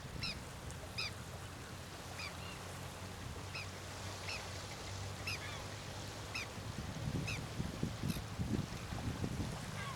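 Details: Snowy-crowned Tern (Sterna trudeaui) at the Río Gallegos estuary, Santa Cruz, Argentina, on 28 October 2021, gives short, harsh, high calls about twice a second, irregularly, over a steady low wind rumble.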